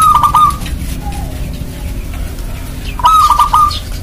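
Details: Local zebra dove (perkutut lokal) in full voice, giving rapid trilled, stuttering coos used to lure other doves into calling. Two rattling phrases are separated by a softer single coo, over a noisy background.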